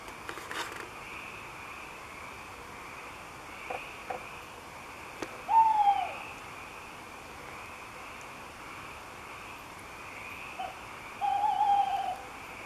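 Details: At night, from high in an oak, a tawny owl (Strix aluco) sings, giving two mellow, wavering hoots about six seconds apart, over a steady background of pulsing insect trills.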